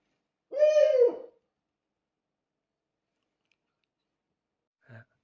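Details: Owl kept as a pet, calling in the morning: one drawn-out, rich hoot lasting under a second, steady then dropping slightly at the end, followed by silence and a faint short sound near the close.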